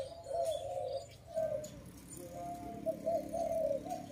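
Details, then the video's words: Soft, low cooing from a dove near a trapping site, several mellow notes in a row with short gaps, over faint background hiss and distant higher chirps. "Sound of good dove"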